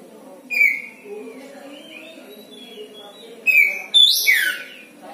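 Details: Oriental magpie-robin kept as a house songbird, making odd sounds: a short whistle, soft quiet warbling, another whistle, then a harsh sweeping downward buzzy slur, with low indoor background noise.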